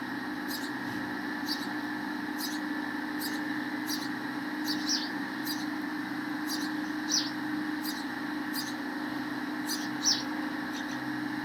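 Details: Sparrow parents feeding chicks at the nest, giving brief sharp high chirps at uneven intervals above a constant droning hum.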